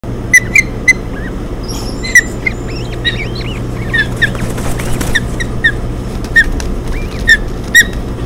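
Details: Osprey at a Hog Island nest on 7 June 2017, as the male brings a fish and the female feeds three chicks: repeated sharp whistled chirps with softer arched peeps between them, over a steady low hum.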